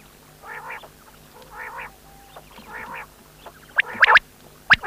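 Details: Three rough, buzzy quail notes spaced about a second apart, then a cluster of sharp clicks and taps toward the end.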